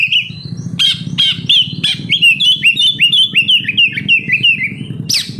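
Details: Oriental magpie-robin lure song for captive birds: a few sharp notes, then a long fast series of repeated chirping whistles about three per second, ending in a sharp call, over low hum.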